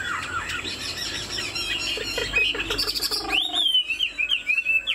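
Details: A caged, tame Chinese Hwamei gives a wing display and head-bobbing song. A scratchy chatter gives way to clear, repeated, arching whistled phrases.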